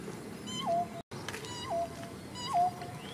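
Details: During the breeding season at Perumbakkam, a female pheasant-tailed jacana (Hydrophasianus chirurgus) in breeding plumage gives courtship calls to attract males: three nasal, cat-like mews, each sliding down and levelling off, about one a second, over a soft hiss.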